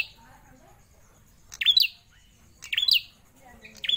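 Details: Caged Prinia, kept for over four years, singing loud sharp chirped phrases that sweep up and down, repeated about once a second against a quiet background.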